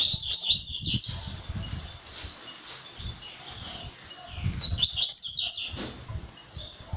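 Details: Song of a brown-plumaged blue-black grassquit: thin, buzzy, crackling bursts high in pitch, one at the start and another about four seconds later, low thuds scattered between.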